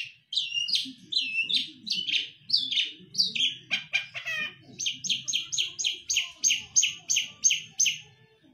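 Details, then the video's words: Long-tailed shrike (cendet), a kept songbird in Indonesia that mimics other birds, giving varied high slurred notes, a brief rattling buzz, then a steady run of sharp high chips repeated evenly, over a low background murmur. "Materi Cendet / Long Tailed Shike"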